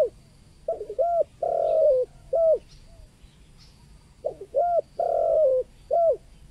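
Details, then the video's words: Local spotted dove with the 'kuk 2' call, meant to attract wild spotted doves: two bouts of mellow coos, short notes paired with longer downslurred ones, separated by a quiet pause. "SUARA TEKUKUR LOKAL KUK 2 AMPUH UNTUK PANCINGAN BURUNG TEKUKUR LIAR"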